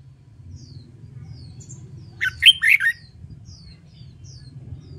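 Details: Trained red-whiskered bulbul sings one quick phrase of three or four loud, slurred whistled notes in the middle of the clip, against a low background hum.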